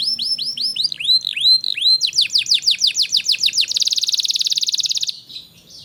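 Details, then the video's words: Singing canary used to encourage young canaries to sing: several tours of whistled sweeping notes that speed up, ending in a very rapid buzzing roll that cuts off abruptly. "Burung kenari gacor cocok untuk MERANGSANG kenari bahan agar cepat gacor"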